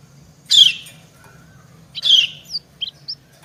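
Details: Female white-eye calling to a male, the two answering each other. There are two short harsh buzzy chirps about one and a half seconds apart, then a few brief high squeaky notes.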